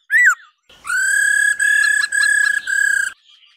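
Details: Female laughingthrush calling 'ro ro' to excite males into singing: one brief arched whistle, then four steady rattling notes, each rich and evenly pulsed, separated by tiny breaks.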